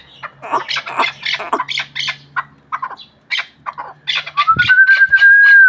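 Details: Chukar partridge kept for hunting, from the Pamirs, uttering uneven bursts of scratchy chuck notes, then a sustained clear whistle that swells loudly at the end.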